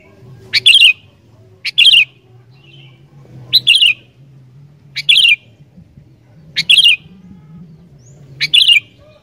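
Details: Sooty-headed bulbul in lively song meant to make wild bulbuls sing: six short liquid whistled phrases, each with a crisp attack, spaced roughly every one and a half seconds over a low background drone.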